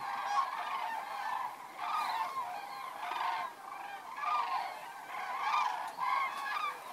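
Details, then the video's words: Common cranes flying in at dusk to roost in shallow water near Federow, Germany, 3 October 2018; loud rolling bugle calls swell in bursts roughly once a second over a constant background of distant flock calling. "Einflug der Kraniche"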